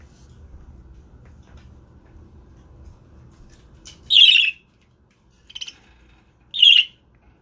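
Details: Pet male budgerigar guarding the eggs and warding off a person who comes close: after quiet background rumble, three sharp, harsh high squawks, short and grating, spaced about one to two seconds apart, the middle one softer.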